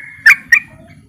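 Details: Yellow-vented bulbul calling to challenge rivals and set other bulbuls calling: two loud clipped chirps a quarter second apart over a low background rumble.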